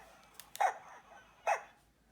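A pelican gives two short, hoarse, bark-like calls about a second apart, mid-pitched and much like a small dog yapping, over a faint steady hiss.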